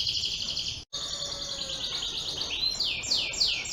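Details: Canary of the green-bottle colour type, ringed, from Yogyakarta; a continuous high rolling trill that breaks off briefly, then resumes and turns into repeated sweeping notes rising and falling, about three per second near the end.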